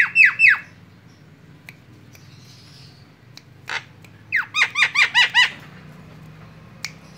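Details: Javan myna, white-eyed, lure call to attract other birds: two harsh down-slurred squawks, a pause with faint clicks, then a quick run of six loud rasping squawks and one last short note.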